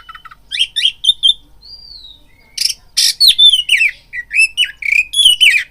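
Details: Oriental magpie-robin lure song to provoke fighting: short whistled phrases, a long clear glide, then loud harsh bursts and repeated rising and falling slurs.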